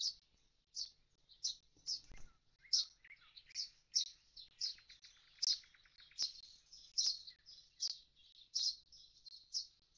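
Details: Common starling at an empty nest box after its young have fledged, giving short high chirps repeated roughly once a second, with a brief lower buzzy run near the middle.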